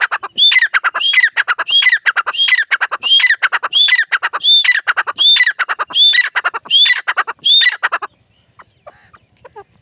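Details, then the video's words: Partridge known locally as Dakhni teetar giving loud harsh calls: a rising whistled note followed by grating squawks, grouped in phrases repeated steadily for about eight seconds before falling quiet. "Dakhni teetar ki awaz | teetar sound"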